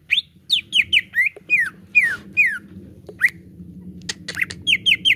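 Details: Green leafbird (cucak ijo) lure song for caged birds: quick rising-then-falling whistled notes in a run, longer downslurred whistles, a few harsh clicks, and a closing trio of bright notes over low background hum.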